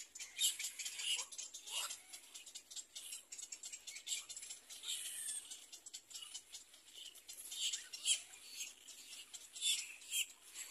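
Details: Little black cormorant ready to feed its baby: rapid, rattling, hissy high-pitched calls in uneven bursts, with louder peaks every couple of seconds.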